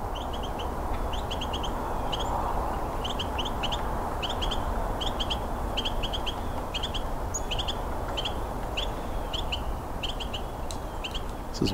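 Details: Two Carolina wrens calling in winter during a Christmas Bird Count, one close and one farther off; a 'pete pete pete' call of short, sharp high notes repeated in pairs roughly every half second over a heavy steady roar of noise.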